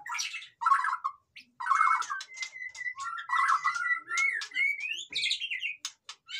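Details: Noisy white-rumped shama song used to stir reluctant birds to sing: short bursts of harsh chattering notes broken by brief gaps, then long clear whistles, upward-sweeping slurs and scattered high ticks.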